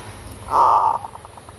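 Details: A zebra dove used as a lure gives a burred, mid-pitched rolling note, then a quick run of soft, clipped coos that fade away.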